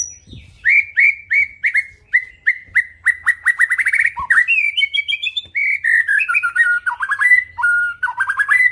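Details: White-rumped shama singing a full varied repertoire: a long run of repeated downslurred whistled notes that quicken, then shifting high trills and falling note clusters.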